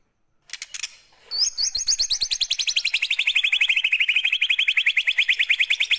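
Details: White-rumped shama singing canary-like phrases: a few sharp opening notes, then a long rapid trill of about nine notes per second that starts high and slowly drops in pitch.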